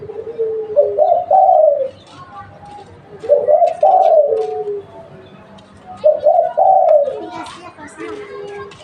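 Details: Local spotted dove recording used as a lure: three deep, mellow cooing phrases, each about one and a half seconds long with a rising, wavering middle and a falling end, separated by pauses of about two seconds, in a quiet room-like setting.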